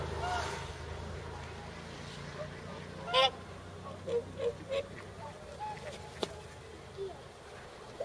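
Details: Gathering of nearly 300 whooper swans on a pond at Nagamine, Nishiyama-machi, Japan, close to migrating north; after a quiet start, a short run of separate nasal honks comes near the middle, with one sharp loud call and a low rumble behind.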